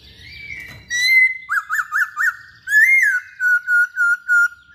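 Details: Masked laughingthrush song: a level sustained whistle, a quick series of four sharp upward-peaked notes, a swelling slurred whistle, then five even, steady whistled notes repeated at a regular pace.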